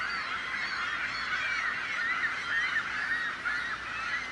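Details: Seagulls, which call loudly to frighten off predators; a dense, unbroken chorus of many overlapping harsh, nasal calls, with brief squealing notes rising above the din.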